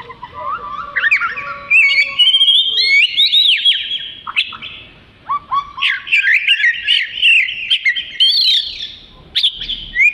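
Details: Long, melodious Oriental magpie-robin song for training other songbirds, opening with lower fluty whistles, then rich varied phrases of trills, slurred whistles and sharp upward notes, with short pauses between bursts.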